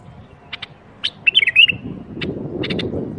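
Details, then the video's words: Bulbul singing to set off other bulbuls: a single quick warbled phrase of twisting whistled notes, preceded and followed by scattered dry clicks, with a low rumbling background building toward the end. "أقوى برواز بلبل ممكن تسمعه لفتح البلابل القافله"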